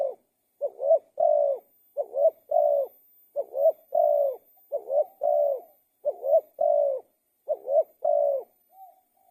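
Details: Spotted dove song. About seven repeated phrases, each a brief low note, a rising swelling coo and a drawn-out even coo, with short silent gaps between them. A soft trailing note closes the clip. No other sounds.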